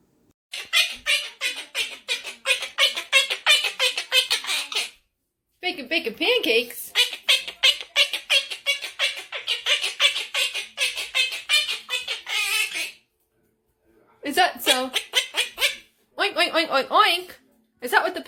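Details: Pet Quaker parrot indoors blowing raspberries amid chatter and mimicked talking: long runs of dense, buzzy, sputtering pulses, rapid and fairly steady, broken by short silences, with a person's voice now and then.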